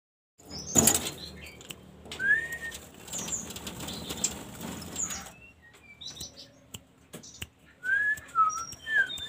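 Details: A jungle flycatcher being tamed gives sparse, short whistled notes, a few slurred phrases near the end, with a sudden flutter of wings and some very high thin notes.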